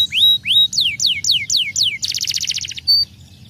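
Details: Canary singing to stimulate other canaries: two rising whistles, a series of loud falling slurred notes, then a rapid rolling trill and a final thin high note.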